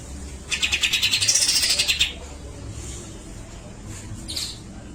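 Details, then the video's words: Grey-cheeked bulbul in lively song, with besetan and tembakan: a single harsh pulsed burst of about one and a half seconds with a rising whistle inside it, then a faint short note. "CUCAK JENGGOT GACOR BESETAN DAN TEMBAKAN PANJANG SUARA ASLI"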